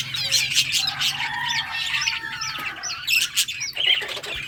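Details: Budgerigars chirping and playing in a breeding colony in summer, a lively mix of warbled whistles, short squawks and twittering from several birds at once.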